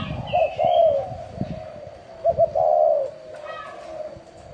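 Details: Spotted dove in chuông đồng style, cooing to lure wild doves and rouse both sexes. Two low phrases with a stuttered start and drawn-out hoarse coo, beside a brief high bird whistle and low thumping noise.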